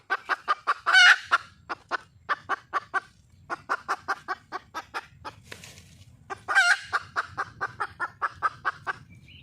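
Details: Hen red junglefowl seeking a male: long steady runs of quick clucks, punctuated twice by a harsh screechy outburst, with a soft rumbling background throughout.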